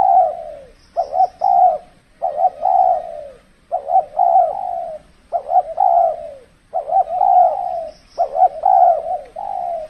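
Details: Spotted dove calling as a decoy in the cold season, when wild birds respond less aggressively; rhythmic low coo phrases with sharp double notes leading into drawn-out falling coos, plus brief high twitters.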